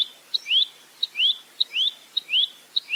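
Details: Velvet-fronted nuthatch, locally rambatan mandarin, in a clear training recording 'full roll tembak': a crisp high tick then an upward-sliding whistle, the couplet repeated evenly about every half second.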